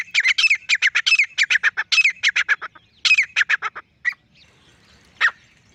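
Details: Lone male grey francolin giving a rapid run of harsh, squawking syllables that breaks off midway, followed by a few isolated notes in a quiet setting.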